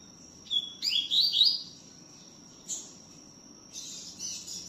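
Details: Double-collared seedeater singing, its song rendered "tui tiu": a short steady whistle, then fast rising slurred notes in a bright burst, a brief chip, and a later buzzy phrase, over a steady faint tone.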